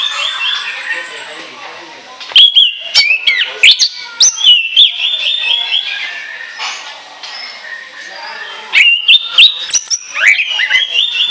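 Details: Orange-headed thrush, ngoceh chattering song intended as a lure: two loud bursts of sharp ticking notes and whistled high phrases, separated by a quieter spell of faint twittering.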